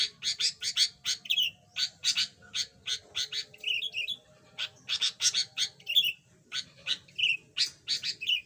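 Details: Yellow budgerigar, newly finding its voice after being mute, chatters in repeated bouts: quick runs of sharp chirps each ending in a curling whistle, about every second and a half, over a quiet hum.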